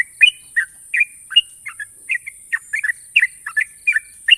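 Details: Yellow-vented bulbul, a national contest winner, giving a long sharp ropel, made of clear, liquid, two-part chirps repeated in quick succession, warbling up and down against a steady background hiss.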